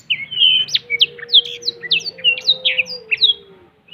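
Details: Black-throated canary singing cetekan-style with wings spread: a fast string of sharp, high upward- and downward-flicking notes about once a second in clusters, over a faint, steady lower tone.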